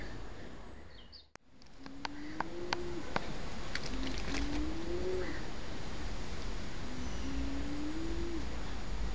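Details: Temminck's tragopan at Antwerp Zoo, Belgium, calling during courtship display: three low, moaning notes, each sliding upward and drawn out over about a second, spaced a few seconds apart, with a sharp click and faint chirps around them.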